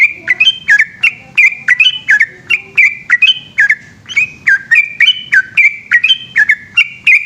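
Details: A yellow-vented bulbul in full voice at night, delivering a long rolling ropel song. Liquid, bubbly two-part whistles tumble out in a steady, fast sequence for over seven seconds, with light background hum.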